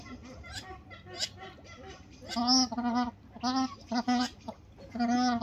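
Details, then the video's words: Two white-winged duck females courting a male give nasal honking calls, about six in quick bursts in the last three seconds, after a quieter stretch of soft mixed background sounds. "Two white-winged duck females courting a male"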